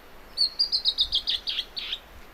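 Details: Bertoni's antbird (Drymophila rubricollis) song in coastal Atlantic Forest of Paraná, Brazil, from a bird perched sunning itself: a quick series of about nine notes, from thin high chips turning lower, broader and buzzier toward the end.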